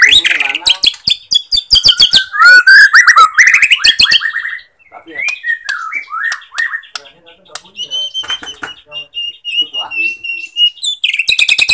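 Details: Borneo white-rumped shama song used as a provoking lure for listless shamas. Dense rattling clicks and whistled warbles at the start, then sparser slurred whistles and thin, high, drawn-out notes.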